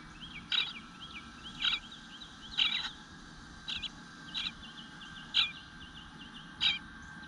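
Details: Eastern bluebird nestling whining for food at the nest, recorded 25 June 2022 at 9:10 am: sharp, high rasping begging notes roughly every second, between them soft, quick chirps and a low background hum.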